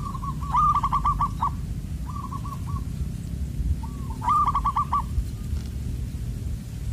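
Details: Wild zebra dove being lured toward a birdlime trap, its loud, far-carrying 'Koong' voice style. Two bursts of rapid, stuttering mid-pitched coos with a short cooing fragment between them, over steady low rumbling background noise.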